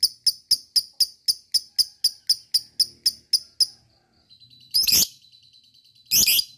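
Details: Lovebird ngekek trill meant to excite other lovebirds into singing: a rapid run of shrill, high chips about four a second, then a brief pause, followed by two loud, harsh, buzzy screeches.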